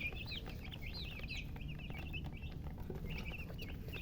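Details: Baby chickens peeping steadily, clustered high chirps with brief upward slurs and a short gap near the middle, over constant low rumble.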